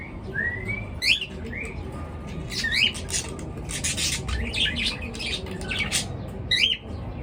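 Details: Birds chirping in the morning: short squawky chirps and sharp upward-sweeping notes come in irregular bursts, mixed with harsh, noisy broadband calls over a steady background hiss.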